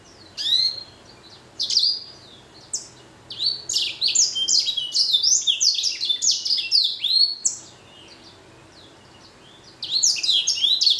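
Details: Blacken finch, a blackthroat crossed with a canary, delivering a lively song of high chirps, upsweeps and buzzy rolling phrases in quick bursts, with short pauses between passages.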